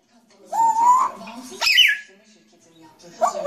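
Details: Grey parrot giving a long rising whistle, then a sharp high squeak that drops away, followed by throaty chatter, all in a quiet indoor space.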